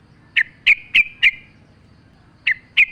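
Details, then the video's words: Sharp high chip notes from a sooty-headed bulbul on a training recording with nature sounds: four notes in a row, a pause, then two more. "pancingan trucuk gacor mewah full suara alam"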